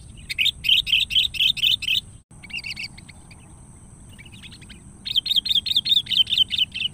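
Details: Sooty-headed bulbul lure call, given as if calling a rival: rapid bursts of bright, bubbly chirps in two runs, about five per second, with a quiet gap of faint chatter between them and a thin steady high hiss behind.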